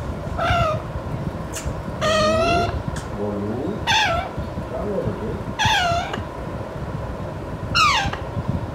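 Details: A five-month-old pet Alexandrine parakeet, not yet talking, gives five nasal, squawking calls at irregular intervals over a low background murmur. Each lasts about half a second, some sliding up or down. It calls restlessly when its owner says she is leaving.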